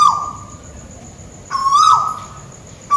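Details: Scops owl (tuwu bird) in Malaysia, calling from overhead: one clear, level, mid-pitched hoot with a slight rise at its end, lasting about half a second. A fading hoot opens the clip and another starts at the close, over quiet background.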